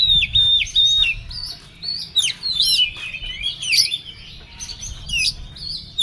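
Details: Agitated singing from an Oriental magpie-robin: steady whistled notes, swooping slurs and scratchy chatters run almost continuously, with a low hum in the background.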